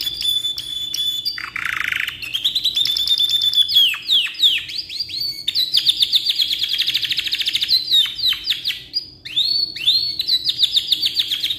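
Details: Canary singing at length, suited to tutoring: varied phrases of buzzy rolls, quick trills, pure held whistles and swooping downward notes flowing continuously.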